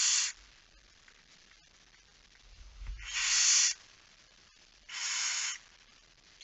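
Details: Nighttime feeding at a Barn owl nest, 10 September 2019 at 22:45: three noisy hissing screeches well spaced apart, with a soft low bump and rustle between the first two.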